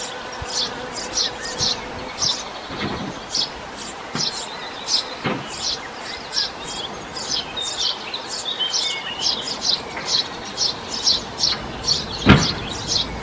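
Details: Eurasian tree sparrow calling: steady run of short, bright chirps, roughly one or two per second, over constant background noise with a few sharp clicks.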